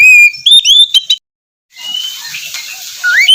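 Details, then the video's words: Kacer, the Oriental magpie-robin, singing in the morning to stimulate a quiet bird. A long clear whistle leads into quick rising notes, then a pause, a hissy stretch and a final upslurred whistle. "terapi pagi cocok untuk mancing kacer malas bunyi agar cepat gacor"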